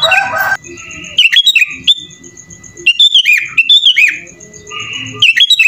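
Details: Gacor kutilang, a sooty-headed bulbul, in full isian song: a harsh scratchy opening, then bright chirps and wavering whistled phrases alternating with steady drawn-out tones.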